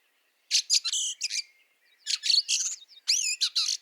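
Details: Harsh, chattering squawks from a Fieldfare in Latvian snow at Liepāja, March 2023. Two dense bursts of rasping notes are separated by a brief gap, and the second includes some twisting, squeaky elements.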